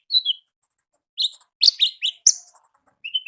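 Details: Olive-backed sunbird singing in the wild, gacor ngalas style: clusters of high, squeaky twittering notes with thin tinkling ticks between bursts, brief and rapid.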